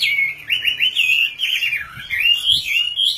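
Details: Continuous warbling of an Oriental magpie-robin, sliding whistled notes flowing together in rising and falling phrases, with faint low background noise.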